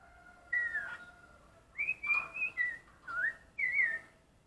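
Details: Black-collared starling singing while training its voice to imitate the red-whiskered bulbul: clear whistled phrases, some rising and some falling, in four bursts over a steady faint background tone, with short gaps between them.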